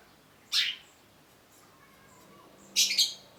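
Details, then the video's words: Cendet (long-tailed shrike) giving two isolated harsh, scratchy bursts, one early and a doubled one near the end, separated by quiet. "cendet gacor MASTERAN CENDET BAHAN AGAR TIDAK MACET SUARA || Long-tailed Shrike"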